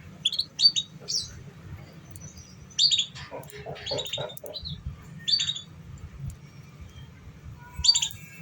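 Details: Canary lure song for stimulating young canaries still learning to sing: bright high chirps in short bursts, spaced at irregular intervals, with softer warbled notes in between over a steady low hum.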